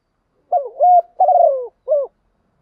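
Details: Spotted dove, a caged decoy bird calling in the morning to lure wild doves, gives one mellow cooing phrase of three low notes: a wavering coo, a longer falling coo, then a short final note, against silence.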